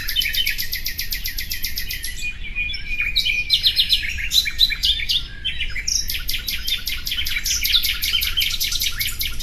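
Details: Rapid, rhythmic trills from a common nightingale, notes repeated several times a second, mixed with whistled and buzzy fragments in a busy, unbroken stream.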